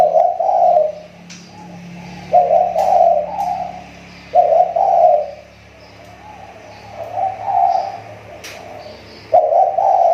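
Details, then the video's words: Spotted dove used as a lure bird, voice getting better after a lapse; soft, husky cooing phrases of two or three notes spaced by quiet gaps, over a low background drone. "SUARA TEKUKUR PIKAT SI TAKUR,SUDAH MULAI MEMBAIK"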